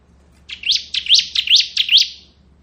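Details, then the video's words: A ciblek, or bar-winged prinia of the kristal variety, in its ngebren song: a quick run of about six bright, rising, slurred chirps lasting under two seconds. "Suara Burung Ciblek Ngebren"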